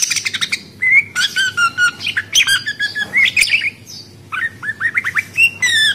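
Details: Australian budgerigar giving busy warbling chatter: scratchy buzzy bursts mixed with clear whistled notes, quick slurred chirps in short runs over a faint constant hum.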